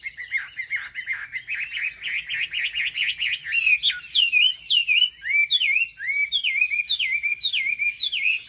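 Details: Hill prinia song aimed at provoking other birds: fast buzzy chatter at first, then separate hooked whistles that drop and rise, repeated nearly twice a second.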